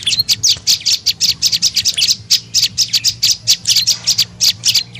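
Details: Tailorbird lure call aimed at attracting birds: dense, excited high chirping in rapid uneven bursts, notes crowding together, over a soft low hum.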